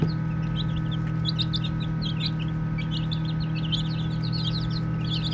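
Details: Group of playful baby chicks with rapid strings of high, bending peeps, steady throughout, over a persistent low mechanical hum.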